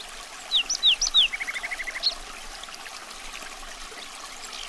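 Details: Common nightingale song beginning with loud sweeping, slurred whistles. These lead into a quick series of lower repeated notes, then a single sharp note, over soft hiss.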